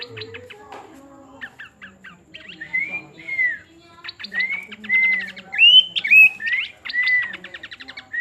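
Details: ['Pin-striped tit-babbler song mixing dry rattling ticks with clear whistles that slur up and down, repeated about twice a second, over a faint low hum.']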